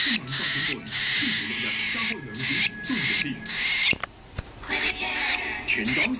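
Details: A female pet cockatiel gives long, harsh, hissing bursts broken by short pauses, with soft low chirps underneath. She has made this sound after her morning feeding, and the owner does not know why.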